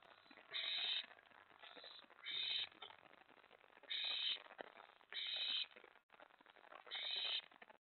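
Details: Owls in a nest at night, 24 May 2017, around the delivery of a mouse and a rat. Rough hissing screeches sound every second or so over a constant faint crackling background.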